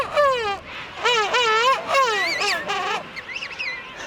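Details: King penguin adult, just returned from sea, gives a rich, warbling, trumpet-like contact call that rises and falls to find and feed its chick during winter, in a colony of about 400,000 with other penguins calling higher behind.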